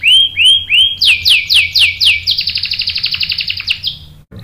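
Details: Kept canary singing, played as a lure to provoke other canaries into answering with sharp rolling song: three clear rising whistles, then a run of quick descending sweeps, then a long, fast, buzzy trill of about twenty pulses over a faint low hum.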